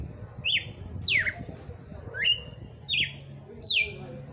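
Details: Caged Red-cowled cardinal in Brazil singing on Christmas Day: a run of loud, clear whistled phrases, each a steep slur falling into a short level note, about five in four seconds, with low hum beneath.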